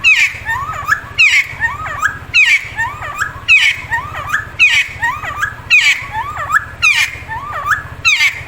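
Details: A friarbird (Cucak Timor, Timtim/Cikukua) calls loudly, repeating liquid, rising-and-falling phrases mixed with harsh notes about once a second, over a faint low hum.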